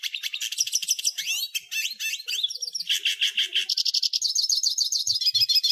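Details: Varied hooded siskin song: fast twitters and slurred, swooping notes, then a buzzy stretch, then an even, rapid trill of high chirps, with faint low taps near the end.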